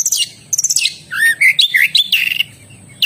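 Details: Oriental magpie-robin song, a dense jumble of scratchy chatter, buzzy trills and short whistled slurs packed into a few seconds, loud and close.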